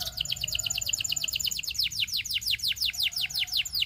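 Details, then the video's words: Canary song made of a long run of quick, high, downward-sweeping whistled notes repeated about three per second, steady and rhythmic throughout, over faint low hum. "All Canaries Will Join in Singing When They Hear This Canary's Chirp"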